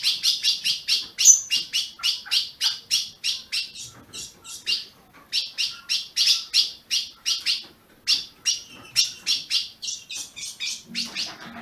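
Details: Ultramarine grosbeak from a registered captive breeder in Brazil, played to stir up a kept bird: a long run of sharp, high chip notes about three per second, with a brief gap near the middle.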